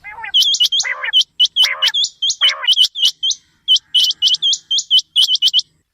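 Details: Quail calling in the morning for quail hunting: an almost continuous stream of sharp rising whistles, several per second, interrupted three times by short harsh lower bursts.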